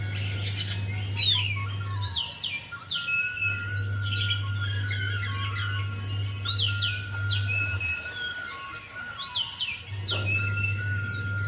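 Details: Javan white-eye song used to make a quiet bird start singing: a long stream of rapid, high, jumbled twittering notes that barely pauses, over a low hum and a faint steady tone.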